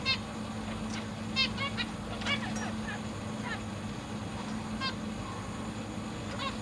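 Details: Caged zebra finches, a family with three juveniles and three newly hatched babies being fed by their parents, August 2023; scattered short nasal honking beeps come at irregular intervals over a steady low electrical hum.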